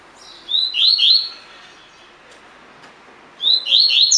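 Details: Caged collared seedeater in tui tui fibra song style, recorded as training audio: one quick phrase of upslurred whistles accelerating into bright chips, a silent gap of two seconds, then another phrase starting.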